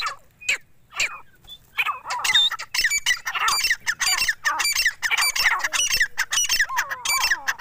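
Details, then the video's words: Four-month-old grey francolin fighter chicks calling together in a dense, harsh, squawky chatter. Many rough overlapping notes pour out almost without pause after a few sparse opening calls. "dakni teeter ki awaz | partridge sound"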